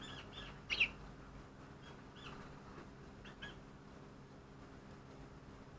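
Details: Daurian redstart visiting a balcony on 19 January 2020, filmed with an APEMAN A80 camera: a pair of short, sharp high chirps early on, then a few fainter scattered call notes over a steady low background hum.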